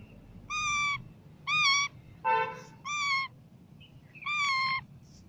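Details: Parrot in natural voice gives five harmonic, meow-like calls roughly every second, one lower and rougher than the rest, with faint short squeaks between them and low background noise.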